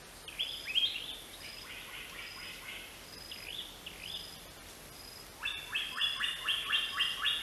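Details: Greater racket-tailed drongo calling: first a few looping, swooping whistled notes, then a pause, then a brisk burst of rapid, evenly spaced chattering notes. Light ambient hiss underneath.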